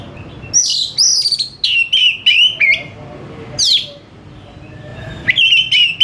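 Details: Lively 'gacor' song of an oriental magpie-robin, quick to respond: dense run of whistled, warbling notes with steep rising and falling sweeps, a pause, then another brisk burst.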